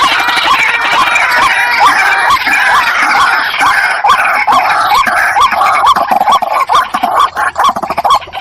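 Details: White-breasted waterhens duetting as a pair: repeated rising croaks at a brisk, regular pace, partly buried in loud, harsh overlapping chatter that thins out near the end.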